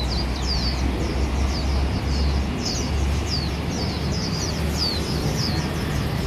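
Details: A white-eye in the city in Taiwan sings a run of thin, high twittering chirps, several each second, over a heavy low rumble of traffic.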